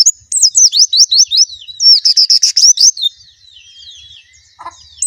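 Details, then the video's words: Loud, rapid white-eye song of high sweeping slurred whistles, a burst of dense buzzy notes in the middle, then thinner trailing whistles and a brief low knock near the end. "suara burung plecci"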